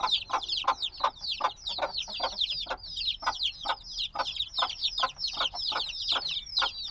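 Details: Binaural field recording of black chicks just days old, still wanting warmth from the hen: a busy swarm of high descending cheeps with irregular soft tapping throughout.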